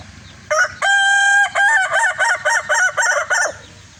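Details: Evening crow of a red Kukuak balenggek rooster: a brief opening note, a long steady held note, then a string of about eight quick, rhythmic stepped syllables.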